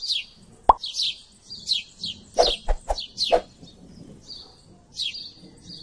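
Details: A flock of house sparrows keeps up a busy chatter of quick, high chirps. Sharp, hollow plops punctuate the middle of the stretch, and there is a low rumbling background.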